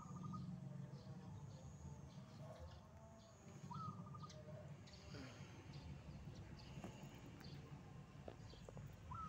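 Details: Morning song of a wild zebra dove: three short cooing phrases, each a rising note then rapid even pulses, repeated roughly every four to five seconds over broad low background rumble.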